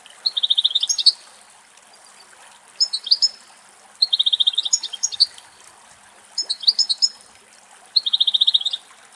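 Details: European goldfinch in Greek countryside delivering rapid high trills and sharp twittering phrases in turn, each burst under a second long with brief gaps, against a faint trickling, hissing backdrop.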